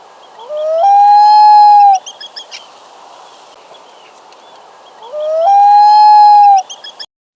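Common Loon giving two long, mournful wails, each sliding up and then holding a steady note for over a second, about four seconds apart.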